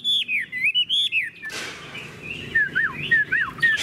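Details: Chinese hwamei in a cage, praised for singing constantly: a clear run of ringing whistled notes, a sudden burst of noise, then quieter repeated downslurred whistles.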